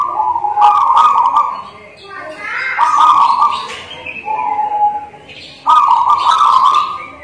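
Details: Local zebra dove in strong singing form, giving drawn-out, even cooing phrases around a steady pitch, repeated with short breaks between, with faint voices in the background.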